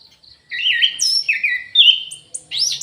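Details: Orange-headed thrush in an aviary pouring out a continuous warbled song of slurred whistles and rising, sweeping high notes.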